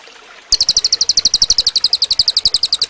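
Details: Cililin song for training other birds: after a short quiet start, a loud, fast stream of crisp, high-pitched chirps repeats about ten times per second to the end.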